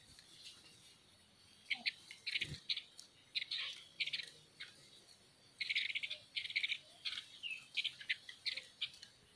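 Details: Female bird giving short, grouped bursts of scratchy, chattering notes, fairly high and dry, spaced by pauses of about a second, with a single knock partway through.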